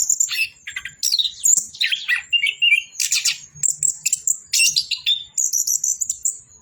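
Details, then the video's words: Orange-headed thrush singing a lively, continuous song of high, varied chirps, twittering trills and short whistled phrases, delivered in rapid bursts with brief pauses between them. "BURUNG ANIS KEMBANG BOCOORRR"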